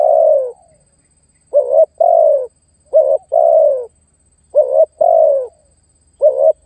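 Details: Spotted dove luring and challenging an opponent as trapping bait: a long falling coo, then repeated pairs of a short wavering note and a long descending coo, about one pair per one and a half seconds.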